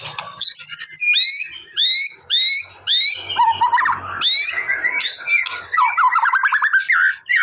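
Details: White-rumped shama song played to provoke a quick response: repeated loud upward-sweeping whistles, then a rapid jumble of chattering, buzzy and trilled notes, varied and continuous, over a faint low hum.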